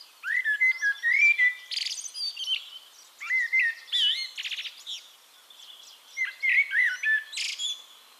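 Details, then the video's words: A Eurasian blackbird sings in Castricum, the Netherlands, delivering three bursts of melodious whistled notes, slurred up and down, each closed by a sharp high scratchy flourish, with brief pauses between. "One Hour Relaxing Birdsong: Blackbird"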